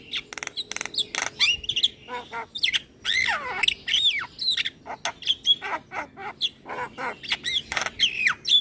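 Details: Javan myna, a caged bird singing vigorously while bobbing its head, pours out a dense varied medley of clicks, downslurred whistles and squeaky chattering notes with hardly a pause.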